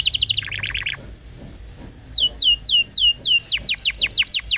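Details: Canary song recorded to stimulate young canaries to sing: a quick trill, then drawn-out pure whistles, then rapid falling sweeps speeding into a closing trill.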